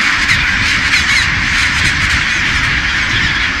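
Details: Huge chinstrap penguin colony on Deception Island's Bailey Head, South Shetland Islands, Antarctica; continuous harsh chorus of many birds, with a couple of short, thin rising squeals cutting through early on.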